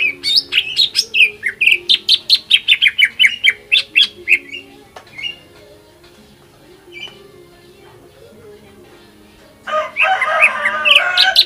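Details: Greater green leafbird in full, intense lure song meant to provoke rival leafbirds into singing: a fast run of loud, sharp, descending whistled notes for about four seconds, a near-silent pause, then a dense burst of high chattering notes at the end.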